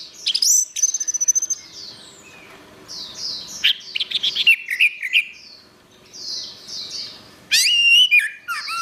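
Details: Orange-headed thrush singing, recorded as master song for training songbirds: a sustained high whistle, then rapid twittering phrases and a loud, squeaky, rising-and-falling flourish near the end. Repeated high slurred notes run behind.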